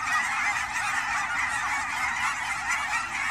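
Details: Short burst of a migrating Canada goose flock in fall at Fern Hill Wildlife Area, Oregon; dense, overlapping honks with no gaps.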